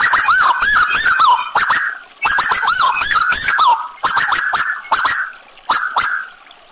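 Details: Tuwu bird, described as gacor (in full, lively voice), with added trickling water: runs of loud, wavering whistled notes that slide downward, delivered in bursts of about two seconds separated by short pauses and sharp clicks.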